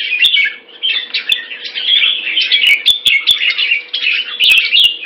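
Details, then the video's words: Red-whiskered bulbuls in captivity in Singapore sparring in a fast display: an unbroken run of rapid, bubbly chattering notes with scattered sharp clicks and a steady faint low hum. "Jambul -สิงคโปร์เลี้ยง นกหัวจุก"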